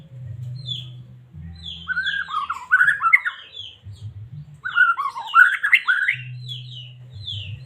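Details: White-rumped shama of the Medan type, caged, singing to excite a listening shama: two bursts of loud tumbling whistles and harsher notes, separated by quieter whistles, with a low humming drone.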